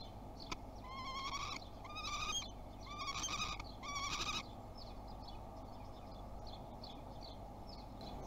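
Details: Common kestrel at a Théding nest box, first 2021 visit on 30 March: four quick bursts of nasal, harmonic calls in the first half, then quieter scratching and a faint background hiss.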